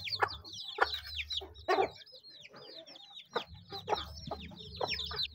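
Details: Chickens feeding, with a steady stream of shrill, falling peeps over several loud, clattering pecks and a few low clucks near the start and end.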